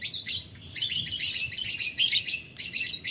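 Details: Lovebird in long cackling chatter toward a rival, a near-continuous stream of harsh, high, buzzy chirps with one brief pause and a sharp peak of intensity.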